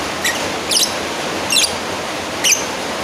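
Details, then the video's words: Lovebird calling a rival: four sharp, high squeaky chirps, irregularly spaced over about three seconds, above a steady broadband hiss. "Suara Asli burung lovebird Manggil lawan"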